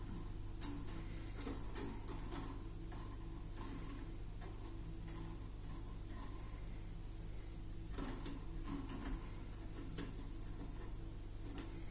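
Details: Only a steady low hum with scattered mechanical clicks and knocks is heard, and no birdsong comes through.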